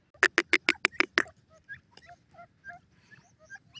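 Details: Francolin uttering a quick string of six coarse, loud rasping notes, followed by faint scattered chirps and soft background calls.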